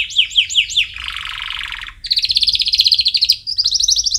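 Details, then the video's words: Canary singing as a training song for chicks: a few swooping whistled notes, then a low buzzy rolling trill, then a higher fast trill in two bursts. "Canary Singing - Most Spectacular HD Video Training For Chicks"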